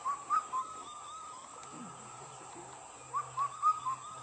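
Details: An Indian cuckoo (Kafal bird), heard but not seen, in the Almora–Ranikhet area of Uttarakhand, gives its mellow four-note whistled phrase twice, notes falling then lifting, with a faint steady hum behind.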